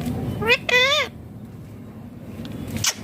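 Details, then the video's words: Green Indian ringneck parakeet talking: two quick harmonic speech-like syllables, the second longer and wavering, then near-quiet with a faint squeak at the end. "Indian ringneck green parrot talking clearly sounds/voices"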